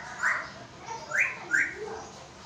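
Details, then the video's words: African grey parrot, a talking pet in Pakistan, gives three short bright whistles, each sharply rising, the last two close together, with faint lower murmurs between them. "Parrot talking in urdu | Talking african grey parrot videos"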